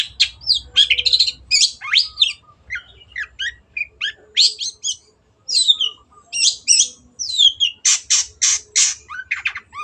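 A long-tailed shrike sings a rapid, varied jumble of harsh squawks, buzzy rasps and sharp chattering notes, with a run of loud rasping bursts near the end.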